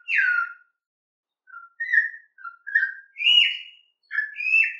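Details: Campo troupial giving canto mateiro song: a loud falling whistle, a pause, then short varied whistled notes, some rising and some stepping higher, widely spaced and clear.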